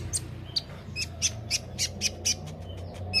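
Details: White-rumped shama master recording for training songbirds: sharp, high chips repeated about four times a second in an even series, each note bright and clipped, over a low steady hum.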